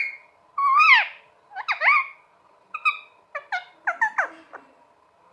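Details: Pet green talking parrot indoors producing a string of varied squawks and bent whistled notes, some rising and falling sharply, uneven rhythm with short gaps; steady background hum.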